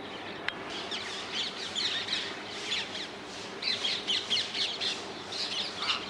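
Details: Rose-ringed parakeets in the wild in the Netherlands give a steady run of harsh, grating squawks, several birds overlapping in rapid bursts, loudest in clusters toward the second half.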